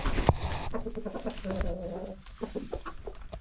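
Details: Domestic chickens and roosters, about 25 in a village yard coop, calling while a woman feeds them; a burst of low harmonic clucks and drawn-out notes lasting about a second and a half, with a thump and a woman speaking afterwards.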